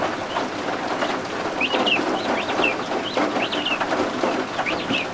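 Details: Newly hatched guinea fowl keets warming under a heat lamp indoors while rain and thunderstorms fall outside; high, thin peeping chirps in short bent notes, given in loose clusters, over a steady hiss of rain.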